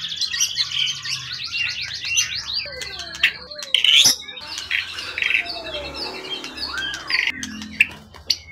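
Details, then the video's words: An award-winning wild-origin contest bird, tail at least 20 cm, in peak form, pours out fast chattering trills, then sweeping whistles, a sharp click and scattered high notes. "Burung event ori hutan ekor 20cm up lg on banget"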